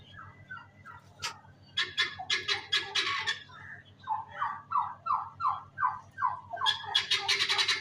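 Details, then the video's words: Several turkey chicks calling together: runs of plaintive descending peeps alternate with bursts of harsh, raspy chirps, while a constant low mechanical hum continues underneath. "Turkey chicks"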